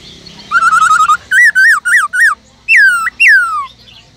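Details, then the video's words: A cage-kept Black-throated Laughingthrush switching voices in its forest-style song: a rapid fluttering trill, four slurred looping notes, then two long ringing whistles gliding downward. "Khướu bạc má kích trống căng lửa HÓT GIỌNG RỪNG"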